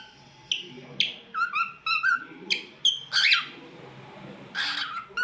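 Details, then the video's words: Talkative cockatiel mixing sounds: short whistled notes that swoop up and down, then a burst of raspy, scratchy chatter and a hoarse call, with quiet indoor background noise. "Talkative Bird 🐦 Singing n Making Different Sounds"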